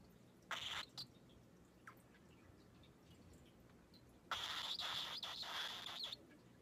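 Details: A young cockatiel (Nymphicus hollandicus) gives harsh, raspy squawks, a brief burst followed by a longer grating outburst.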